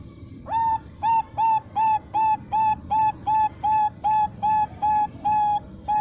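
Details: Female Bangkok-type zebra dove, farm-bred, with a long-ending song, used as a lure to call males. It gives a steady series of about fifteen flat, clear, mid-pitched whistled coos, evenly spaced about every 0.4 seconds.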